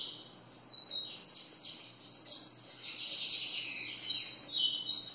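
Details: Double-collared seedeater, called papa-capim, singing in the ferradura style: a fast run of high warbled and slurred notes with sharp chirps, quieter at first and louder toward the end.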